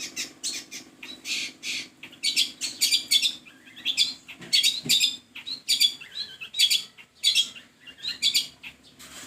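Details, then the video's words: Long-tailed shrike giving a loud, scratchy song of rapid harsh chattering bursts, repeated roughly every half second, mixed with squeaky twittering notes and a low steady hum in the background. "pentet lain pasti ikut bunyi & emosi"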